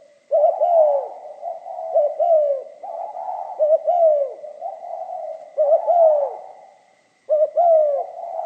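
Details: Spotted dove song in the 'pha kim' voice style: repeated soft, hollow coos, each note bending upward then sliding down, grouped into overlapping phrases with a short silence near the end. Clean background with a faint steady hum.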